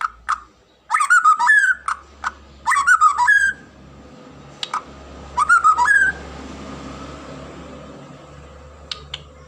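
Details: White-rumped shama, a popular Indonesian cage bird, singing repeated loud whistled phrases of fast warbling notes with slurred endings, interspersed with sharp single clicks, over a low background hum.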